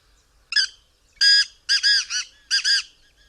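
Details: Black francolin calling several times: harsh, grating, rhythmic phrases of buzzy clicking notes in bursts, with a short opening note, then longer grouped notes, on a quiet background.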